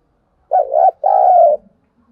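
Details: Caged lure spotted dove cooing to draw and stir wild doves: a deep, soft two-part phrase, a short wobbling note, then a longer, steady, slightly falling coo, with a faint low murmur afterwards.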